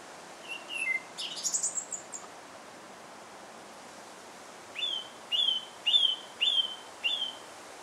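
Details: Song thrush in Alkmaar, Netherlands, opens with a varied burst of high chirps and squeaky notes, pauses, then repeats one rising whistled note five times in a steady series.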